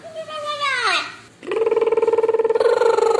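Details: A parrot singing and talking on a staircase gives a falling, voice-like whistled phrase, then a steady, buzzy, rapidly pulsing note held for nearly two seconds, like sung mimicry.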